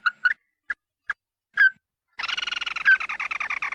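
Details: Red-eyed bird's flock-gathering call, used for luring: a few isolated, spaced nasal notes, then a sudden loud, harsh, buzzy chattering that runs on to the end.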